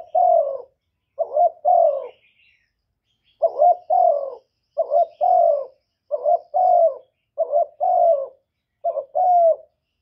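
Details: Decoy spotted dove giving luring coos to attract other doves: two phrases, a pause, then five more in quick succession, each a short note followed by a longer gently falling coo.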